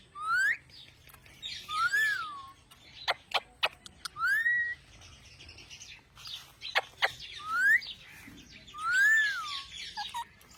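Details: Mian mithu, a talking parrot: loud rising and arched whistles recur every couple of seconds, some wavering, separated by sharp clicks and a soft chattering background.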